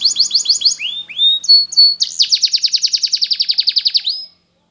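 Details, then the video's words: Singing Spanish Timbrado canary, a training song: choppy repeated notes, a few slurred whistles, then a long fast rattling trill of steady evenly spaced pulses that ends abruptly. "Timbrado Canary's Most Powerful Singing For Training"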